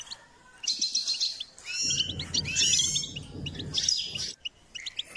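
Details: Singing goldfinch, recorded while being trained and stimulated to sing, gives dense high twittering with quick chirps and liquid whistled notes, a low background rumble in the second half.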